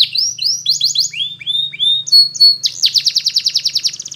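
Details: Song of a Belgian canary used to teach young canaries: a run of downward-sweeping whistled slurs, two short flat notes, then a rapid bright rolling trill, with a faint low hum beneath.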